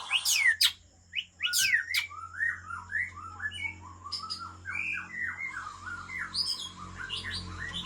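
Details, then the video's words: Original Aceh white-rumped shama from Lamteuba, a breeding bird, starts with sharp sweeping whistles. A long sequence of short rising notes follows, repeated steadily over a constant low hum. "Murai Aceh"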